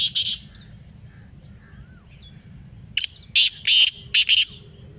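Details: Calling after playback, a black francolin gives one harsh rasp. After a pause with faint bird whistles, a louder phrase follows: a sharp lead-in note and then four scratchy, buzzy notes.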